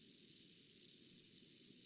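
A Black-and-white Warbler sings a very high, thin run of quick two-note phrases, high-low over and over, squeaky like a turning wheel.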